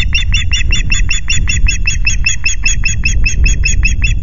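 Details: Nest-camera recording of an osprey with chicks at Loch Garten on 5 July: an unbroken, evenly paced sequence of shrill whistled chirps, roughly four per second, over strong low buffeting noise.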